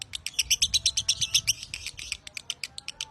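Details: Champion lovebird kept for song training, its long-drawn singing (narik panjang): rapid, shrill chattering notes, about three per second, in dense bursts that thin out toward the end, with faint low background hum.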